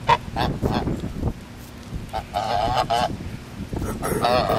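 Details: Geese at a grand resort give loud, nasal, harmonic-rich honks in quick irregular bursts, several overlapping calls, with a steady low rumble of background noise underneath.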